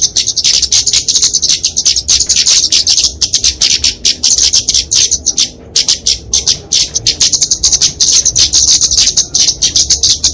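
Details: Flowerpecker fighting song for training songbirds and luring birds, heard as a long stream of rapid, high ticking and twittering notes, a brief pause midway, then the chatter resumes.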